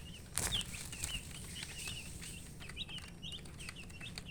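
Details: Domestic chicken chicks, thirsty for water, give a run of short high peeps at a steady pace, several birds overlapping, with a few flapping or handling thumps near the start and a constant low hum.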